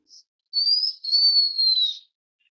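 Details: Blue-winged minla whistling a single long, thin, high phrase that climbs briefly then glides slowly downward for about a second and a half, opened by one faint short chip in a quiet setting.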